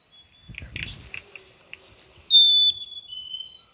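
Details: Black-capped chickadee sounding one pure high whistle that drops to a softer, lower note, after a burst of scratchy rustling and clicking noise.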